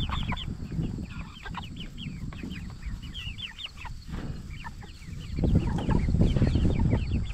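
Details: Jumbo Cornish Cross broiler chickens, 44 days old, raised for meat, giving a steady chorus of short soft clucks and rising peeps from many birds at once, over a loud low rumbling background that swells near the end.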